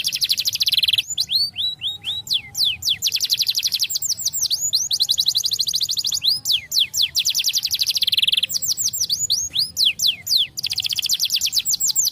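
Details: Canary song meant for training young canaries to sing: fast, high trills of rapidly repeated sweeping notes, alternating between rolling buzzy runs and sharper descending chirps in long continuous phrases with brief breaks.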